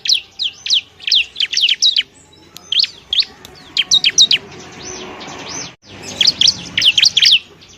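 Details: Bar-winged prinia song used as a training recording for other birds: high, sharp chirps and down-slurred notes in quick bursts of three to six, separated by short pauses, with a longer gap near the end before another rapid run.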